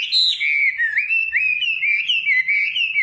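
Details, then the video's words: Nightingale delivering a loud, unbroken whistled warble that swoops and wavers in repeated rises and falls, clear and unaccompanied. "Singing nightingale. amazing bird song"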